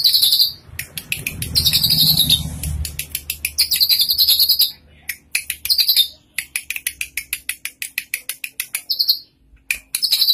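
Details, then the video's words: Tame, freely singing drongo (saeran gunting) with a full repertoire delivers rapid ticking, chattering series of very high, sharp notes, broken by short pauses and harsh buzzy phrases, fairly loud and close. "Burung saeran gunting gacor dan jinak isian sebakul"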